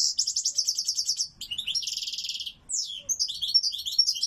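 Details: European goldfinch singing loudly: rapid high twittering phrases, buzzy trills and sharp chirps tumbling together in quick bursts, a brief pause near the middle, clear and close with no other sounds.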